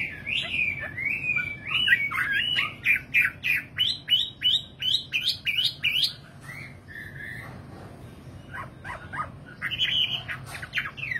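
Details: Nightingale singing: a quick run of sharp, repeated chip notes that climbs and falls in pitch, then a few lower whistled notes, a pause, and a fresh burst of bright chirps, over a soft low rumble.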